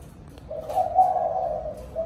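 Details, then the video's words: A spotted dove sounds an evening call to gather its flock, a single soft, drawn-out low coo that swells and then fades, followed by the start of another note, over a faint hum. "Cu gáy gọi đàn chiều"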